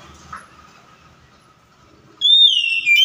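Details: Oriental magpie-robin lure song: after two seconds of quiet hum and faint background noise, a sudden loud, pure whistle sounds, gliding gently downward before a sharp upward flick.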